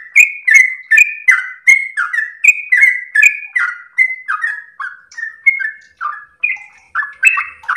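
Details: Yellow-vented bulbul delivering a long, melodious ropel song for master and lure recordings: an unbroken string of chirpy whistled slurs, gradually dropping lower in pitch toward the end, with a faint low note near the close.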